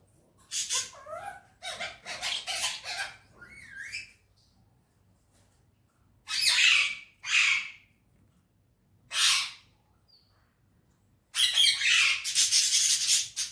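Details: Urdu and Hindi talking parrot in a happy mood: rapid strings of harsh squawks and slurred notes, a pause, then single loud rasps and a final dense chattering burst.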